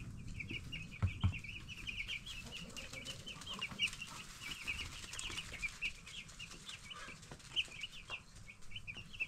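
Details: Flock of baby broiler chicks, ten days old, chirping steadily in high quick peeps, with intermittent clicks, scratching and a low hum.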